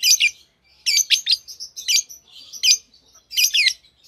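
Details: Green Fischer's lovebirds, a pair, give quick bursts of shrill chirps and squeaky chatter, several notes clustered together with brief gaps between.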